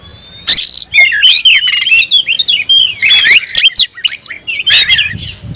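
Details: Oriental magpie-robin, a cage bird roused to summon a rival for a fight, sings loud fluid whistles and wavering slurred notes broken by sharp clicks.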